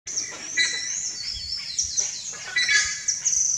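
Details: Buff-necked Ibis (Theristicus caudatus) young in the nest during the breeding season give high, thin squealing calls, several overlapping about once a second, with some slurred rising notes over faint background noise.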